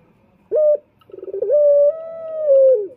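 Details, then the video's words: Lure call of a male turtle dove (puter) from Indonesia, used for baiting males: one short clear note, a pause, then a rapid throbbing roll leading into a long even coo that tails off downward. "Pancingan Puter Jantan"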